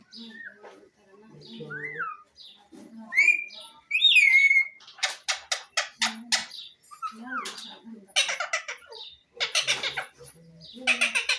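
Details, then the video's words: Pet parrot making assorted noises: low chatter, then rising and falling whistled notes, followed by bursts of harsh, rapid, buzzy squawks repeated in quick runs, with softer murmured sounds between. "Parrot Phil is making noises,Beautiful parrot words"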